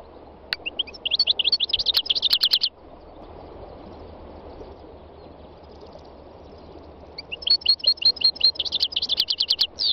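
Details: Wild European goldfinch delivering two long bouts of fast, high, jingling twitter separated by a quiet gap of several seconds, the notes tumbling rapidly and evenly; faint low background hum throughout.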